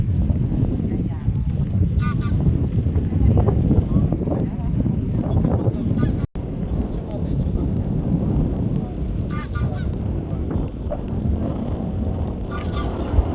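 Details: A greylag goose that fell behind its flock gives a few loud, nasal honks several seconds apart, partly buried under steady low wind rumble.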